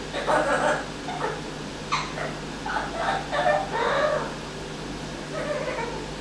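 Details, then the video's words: Indoor male Amazon parrot giving its acquired evil laugh: rough, cackling syllables in quick groups, a louder run in the middle, then quieter notes trailing off, with a low electrical hum beneath. "Parrot with Evil Laugh"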